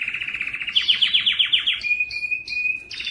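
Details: Strong domestic canary singing a tutoring song meant to teach young canaries, spur males to sing and rouse females for breeding: a quick rolling trill, then a descending sweeping trill, then pure whistled notes with sharp high chips.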